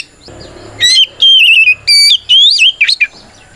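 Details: White-rumped shama song intended to provoke rival shamas into singing; after a faint low hum, a run of long clear whistles with trilled wavering ends and a final rapid twisting flourish.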